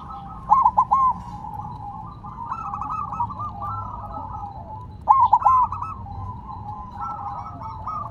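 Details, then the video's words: Zebra dove kept singing while placed on the ground, giving loud stuttered coo bursts about every four and a half seconds, with softer rolling coos in between over a steady low hum. "Perkutut Silver Tetap Gacor Walaupun Ditaruh Tanah"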